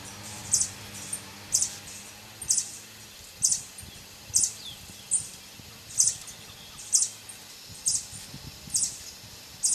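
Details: Violet sabrewing at Poasito, Poás, Alajuela, Costa Rica, giving sharp, very high chip notes, repeated about once a second in an even series, over a faint low background hum.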